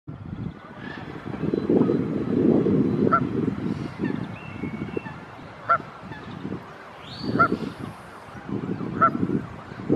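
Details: Canada goose mother calling regularly to her goslings with head tossing as a leashed dog approaches the family: short nasal honks every second or two, over a steady low rumble of background noise.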